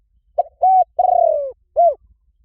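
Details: Spotted dove coo for exciting weak decoy doves to call: one phrase of a quick opening note, a steady coo, a long vibrating coo gently descending, and a rounded final note, heard clearly against silence.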